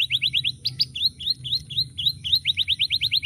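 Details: Canary song, loud and varied, from a bird often used to teach other birds: quick bright trills broken by hooked, upslurred whistled notes, then a fast even rattle of high chirps, over a low background hum.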